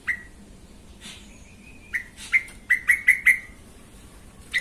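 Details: Yellow-vented bulbul on a lure recording meant to agitate other bulbuls into singing: short bright whistled notes near the same pitch, a quick cluster of five or six in the middle and one more at the end, over low background hiss.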